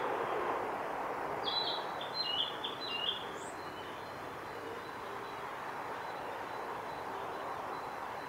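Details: Male Japanese thrush at Kawaguchiko Field Center, 8 July 2017: one quick phrase of clear, fluty whistled notes lasting under two seconds, over a steady rushing background noise.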